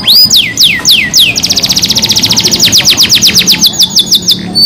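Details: Canary singing in a rolling, high-shooting style: three loud downward-sweeping whistles, then a long rapid trill of evenly spaced notes slowing into repeated falling whistles at the end; faint low rumble behind.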